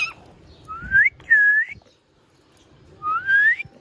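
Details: Pet ringneck parrot, known for clear speaking, whistling while at play indoors; three bright upward-sweeping and arched whistles, two close together early and one after a long silent pause.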